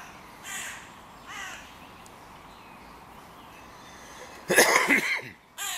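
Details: Crows in König-Albert-Park, squabbling where three breeding pairs' territories meet at the music pavilion; two moderate caws, then a loud, harsh, ragged burst of cawing and a final abrupt caw.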